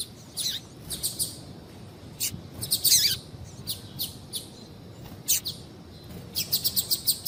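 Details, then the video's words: Double-collared seedeater female calling to excite a male into singing: high thin chirps, some with a slight downward sweep, in irregular clusters and short bursts across the recording. "fêmea de Coleiro Chamando Muito para Esquentar Coleiro"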